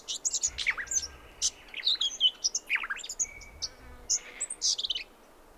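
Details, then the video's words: Bright, rapid twittering from a Brown Thornbill, recorded at Mt Hotham, Victoria, Australia, on the Brandy Creek Mine Track, 7am, 29 December 2011. Sharp high chirps come in dense bursts, with a level whistled note in the middle. "Brown Thornbill with sonogram"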